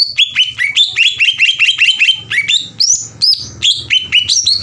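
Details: Green leafbird in lively, aggressive song, meant to make rival leafbirds emotional and sing. A continuous fast chatter of sharp, upswept whistles shifts between lower and higher pitches, with occasional ringing high notes. A steady low hum runs beneath.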